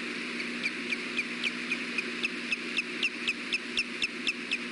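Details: Osprey at a nest giving courting calls around a mating attempt, in the afternoon (Mountain Time) on May 3, 2016, on a nest webcam: rapid, repeated high, sharp chirps about four per second, steady, over a constant hissing background.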